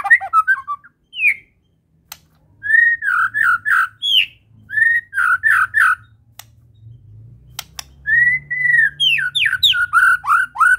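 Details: White-rumped shama, Medan type, singing full isian: loud whistled phrases in runs of rapid arched and downslurred notes, separated by short pauses, over a low background hum.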